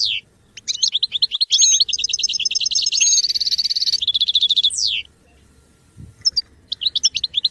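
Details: Goldfinch singing, used for song training: rapid bright twittering phrases of repeated high notes with sustained trills and buzzy runs, a short pause, then more quick chirps resuming near the end.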